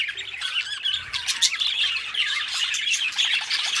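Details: Budgerigars, two pet companion birds, warble busily, mixing rasping chatter with a few brighter whistled pips. The stream is steady and unbroken.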